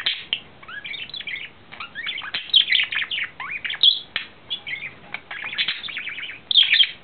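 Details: A male budgerigar in love, April 2009, sings in choppy phrases of rising and falling squeaky whistles, chirps and clicks, each burst followed by a brief pause.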